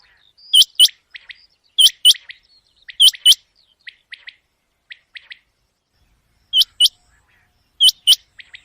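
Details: Common quail heard at night on a hunting recording: loud doubled high calls at irregular spacing, with a quieter second bird answering in fainter twin and triple notes during the pause.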